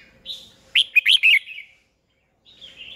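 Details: Red-whiskered bulbul decoy in fighting song, meant to train and stimulate other bulbuls to sing; one loud, lively phrase of four quick slurred whistles, then silence and a softer trailing note.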